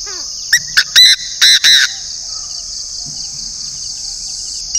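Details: A decoy Chinese francolin from the north delivers one burst of five coarse, strident notes, the last three longer, then falls quiet, leaving a steady high-pitched insect chorus.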